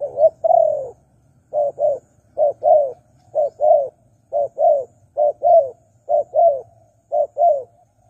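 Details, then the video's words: Lure call of a spotted dove for wild birds: a long steady series of about nine paired coos, each a short hoot and a longer falling note, under a low hum. "Pikat Tekukur Burung Liar Kurang Galak"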